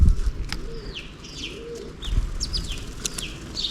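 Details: Sparrows chirping while feeding on millet at a hanging plastic-bottle feeder in the morning; short high chirps sliding downward in loose irregular bursts, over faint low cooing and occasional pecking taps.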